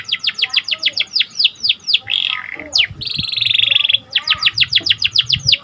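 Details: Panda canary in full, vigorous song, used to stimulate and train canaries: a fast series of descending whistled sweeps, a short buzzy phrase, then a bright rapid rattling trill and more quick falling notes.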